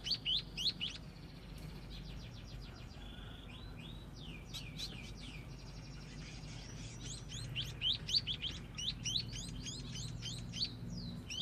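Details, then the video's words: Young scaly-breasted munia practising its song: rapid bright chirps and clicks, a stretch of slurred whistled notes in the middle, then dense bursts of sharp chirps again, all over a low constant rumble. "Burung pipit/emprit/peking jawa belajar ngoceh"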